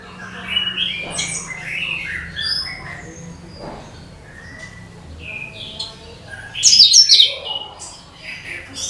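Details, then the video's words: Cucak kinoi song played to lure every type of bird, a varied run of short whistled and warbled phrases building to a loud, shrill chattering burst near the end. "SUARA CUCAK KINOI BUAT PANCINGAN SEGALA JENIS BURUNG"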